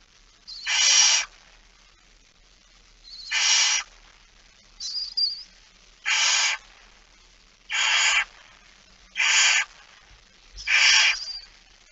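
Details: Barn owl with a mouse, recorded at 06:11 on 17 September 2019: short hoarse screech-hisses repeated about every one to two seconds, seven in all, with one thin, high chirp among them.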